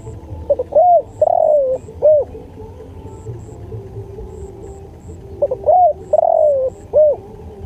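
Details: Spotted dove song used as masteran for luring: two repeated phrases of quick soft lead-in notes, a sustained mellow falling coo and an arched closing note, separated by quiet pauses, with faint thin high squeaks.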